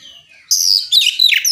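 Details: Oriental magpie-robin in loud full song, meant to draw other magpie-robins into answering; a bright high whistle bursts in, then a second slurred burst of rapid twisting notes.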